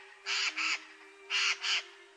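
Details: Eurasian jay in winter in central Russia, where jays often visit feeders, gives harsh, rasping screeches in two quick pairs.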